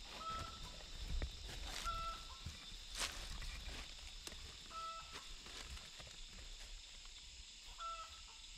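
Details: Wild chickens, chicks caught from a flock in the forest and taken home to be tamed; several short whistled calls recur among footsteps, rustling and handling noise, with insects droning behind.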